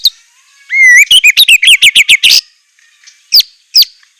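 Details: White-rumped shama, called murai batu, in a fierce 'isian mewah' fill-in song: an upslurred whistle, then a fast burst of loud, high, ringing notes, a pause, and two lone sharp chips.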